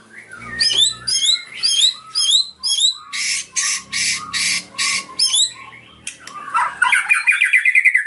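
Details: Singing white-rumped shama with cililin mimicry in its song: quick upslurred chips, then a run of harsh, broad, buzzy bursts about twice a second, ending in a rapid, falling trill. A low background rumble is present.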